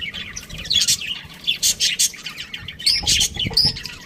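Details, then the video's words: Chirping budgerigars: bright high chirps and squeaky warble phrases, some notes rising and falling, with faint low thumps or fluttering in the background. "budgie chirping sounds | parakeet sounds"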